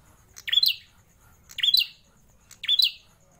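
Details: A pet prinia, kept for over four years, gives three loud, high, chirping phrases, each a quick burst of sharp notes, repeated about once a second.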